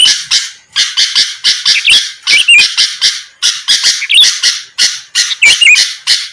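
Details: Rival-provoking lure of a lively sooty-headed bulbul: a continuous stream of coarse, buzzy squawks in groups of two or three, sprinkled with short wavering whistled flourishes.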